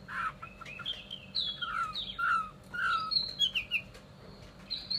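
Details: Chinese hwamei song: a run of varied clear whistled phrases, some sliding downward and some rising, delivered in quick bursts with brief gaps and a steady low background hum.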